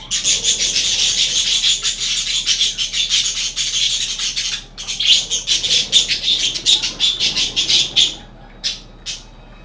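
A budgerigar chatters in rapid, scratchy chirps and clicks, a dense run of high notes.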